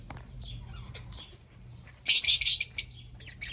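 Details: Fischer's lovebird returning: faint, scattered high notes, then a loud burst of harsh, shrill chirps lasting under a second, followed by a last sharp squeak at the end.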